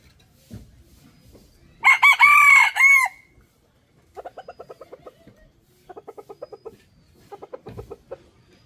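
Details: Male chicken giving a strong, raspy crow over roughly a second, its pitch held high and then dropping at the end, followed by three separate bursts of rapid, evenly spaced clucking notes in a quiet setting.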